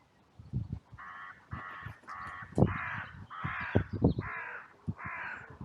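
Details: Crows by a trail camera in a sunlit cemetery, in loud outcry after two crows fought and others rushed in from all directions. Seven harsh, drawn-out caws follow one another steadily, mixed with heavy low thumps close to the recorder.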